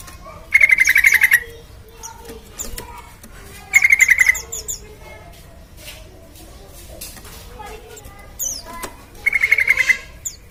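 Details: Lively sooty-headed bulbul song used as a lure so other birds start singing fast: three short bursts of quick, rattling repeated notes on a steady pitch, spaced a few seconds apart, with soft chirping and faint background sounds.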